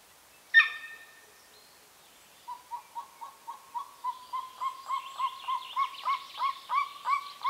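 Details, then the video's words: Golden eagle at a nesting site in the remote Carpathian mountains of Northern Romania; one loud opening note, then a quickening series of short yelps that grows steadily louder and faster. "The amazing calls of the Golden eagle - Aquila chrysaetos"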